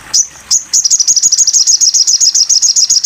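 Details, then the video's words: Crimson sunbird song used for training songbirds: two sharp high chips, then a steady, rapid trill of thin, high ticking notes, about seven per second, continuing to the end. "masteran burung sogon"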